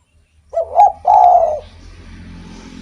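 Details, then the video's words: Spotted dove singing actively, a song used to lure or stimulate other doves: a short wavering coo followed by a longer, steady, mellow coo, then faint low background hum. "SUARA BURUNG DERKUKU GACOR ENAK DIDENGAR || BAGUS BUAT PANCINGAN"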